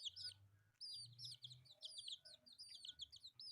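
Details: Shrill chick peeps from four colourful pet chicks playing, each note sharply dropping in pitch, crowded together in fast bursts over a faint low hum.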